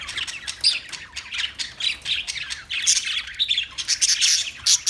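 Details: Parakeets giving harsh, high squawks mixed with rapid chirps, growing more intense toward the end.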